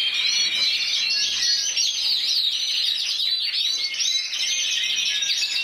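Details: Intense yellow canary, Spain's 2014 individual champion at 94 points, sings a brisk, unbroken series of high trills and twittering chirps.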